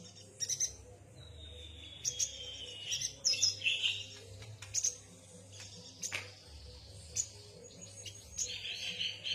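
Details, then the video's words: Yuhina song of scattered sharp, high chirps spread irregularly throughout, with a long thin descending whistle early on and a buzzier note near the end; a constant low hum runs beneath. "Kicau burung yuhina"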